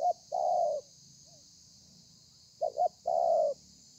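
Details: Thổ pha cooing of a spotted dove, recorded 30 November 2020: a long soft coo, a pause of nearly two seconds, then a quick double note and another sustained coo, with faint background hiss.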